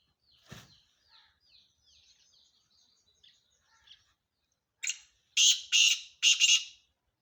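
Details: A male black francolin gives a rasping call near the end: a short lead note followed by three loud, buzzy, scraping bursts. Faint twittering of other small birds comes first.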